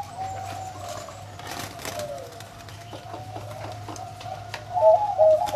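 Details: Zebra dove with a deep, big voice, bird-farm kept, holding a soft, steady low coo. A louder burst of quick bubbling coo notes closes the sequence over a faint hum.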